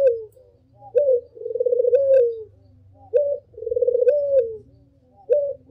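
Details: Lure call of a Barbary dove, a short coo followed by a long, pulsing, throaty coo, heard twice over a continuous low rumbling hum.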